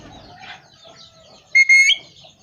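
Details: A talking parrot whistles: two short, loud, steady notes in quick succession, the second slightly longer and rising at its end, over soft background chirping of other birds.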